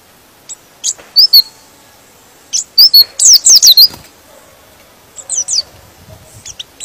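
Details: Pleci (white-eye) singing to stir up other birds: scattered thin high notes, then a tight run of about six sliding chirps, followed by softer, more distant chirping.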